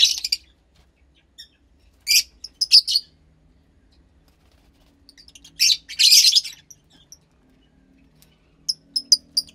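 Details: High grating squawks in short clusters from a captive Fischer's lovebird chick about 15 days old, offspring of a lutino and pastel blue pair, with long quiet stretches between bursts.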